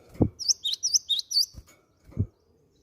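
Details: Gelatik batu (cinereous tit) lure sound to get other birds singing: a brisk series of about five high, sharp chirps inside one second, bracketed by dull low thumps.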